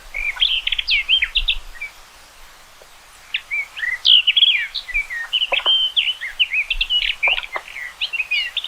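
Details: Common rock thrush singing: a fast, varied warble of short whistled and chirping notes in two bursts, with a quiet pause between them and faint low rumble beneath.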